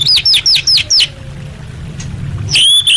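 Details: Female orange-headed thrush calling to males, meant to lure non-singing birds: five quick, high, downward-sweeping chirps in a row, then a pause and a loud, steady whistled note.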